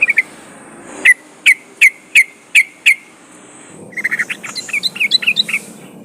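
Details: Trucukan (yellow-vented bulbul) lure recording meant to make the bird sing: a row of six sharp, evenly spaced clicking notes, followed by a burst of fast, bubbly chattering phrases.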